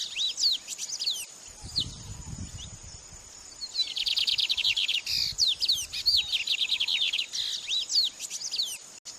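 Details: Training song of an Oriental magpie-robin: quick runs of sharp, high whistled notes and trills in clustered bursts, separated by brief quieter gaps, with faint low background rumble.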